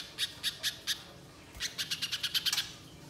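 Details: Spiderhunter in active voice, chattering lure sound for use in the wild: four spaced, sharp, high chips, then a quicker run of about nine dry notes.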